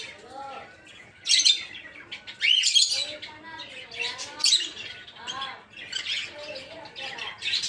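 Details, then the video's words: An aviary flock of peach-faced lovebirds, birds kept for breeding in green opaline, dark green, blue rosy and lutino forms, keeps up dense overlapping chatter of piercing squawks and sharp rising chirps, with few pauses. "Peach-Faced Lovebird's Sounds"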